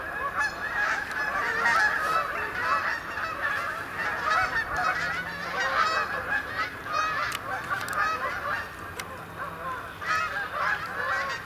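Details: Canada geese dropping in for the night on a pond at Sapsucker Woods, Ithaca, New York, 28 October 2017; clearer individual honks rise and fall within the flock's ongoing chorus.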